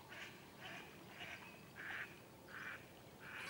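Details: Female northern pintail (Anas acuta) at Keoladeo National Park, Bharatpur, Rajasthan, India, giving hoarse, nasal quacks, about six in three seconds, each short and roughly evenly spaced, over a low background hiss.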